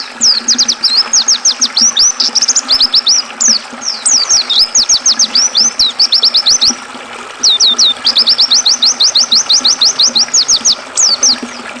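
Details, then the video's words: Oriental white-eye song, mixed with river sound and used for training and calming caged songbirds: dense streams of thin, very high, down-slurred notes in rapid bursts, a brief pause near the middle, then more quick twittering. "Suara burung pleci"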